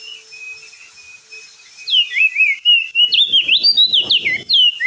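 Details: Crested white-eye singing in continuous ngeplong style, used to lure a stressed bird back into song: a thin steady high tone first, then quick looping whistled notes, about three per second, over faint low rustles.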